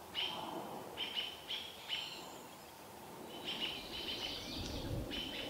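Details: American robins scolding a barred owl in Vancouver while the owl's baby watches; sharp high calls in a cluster, a short pause, then denser overlapping calls, with a low rumble near the end.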